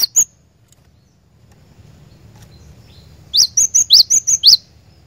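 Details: Glatik batu, the cinereous tit, singing as a lure recording for caged birds: a single note, a long near-silent pause, then a rapid run of about seven bright, high notes alternating rising and level whistles over a faint low hum.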